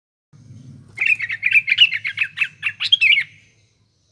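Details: Sooty-headed bulbul in full song, played as a lure for morning, afternoon and night; a rapid run of bright chirping notes repeated about four per second for over two seconds, with a faint low hum beneath.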